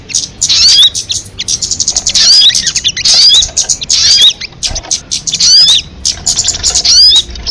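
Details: Crested jay lure calls: grating, fast chattering bursts with sharp upslurred squeaks, continuing almost without break through several phrases.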